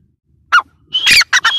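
Grey francolin giving harsh, squawking notes: one short burst, then a longer rasping phrase and two quick notes, loud and high-pitched.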